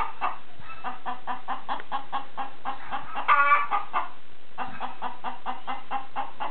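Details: Chicken making noise: dense rapid clucking, many short harsh notes in quick succession, with a louder squawk midway, over a steady background hum.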